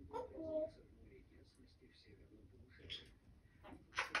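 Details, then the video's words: A male pet grey parrot indoors utters a short, human-like spoken phrase, followed by scattered high squeaks and a sharp closing burst, in a small room; owner describes him as declaring love. "Попугай Жако-Паша, признаётся в любви!"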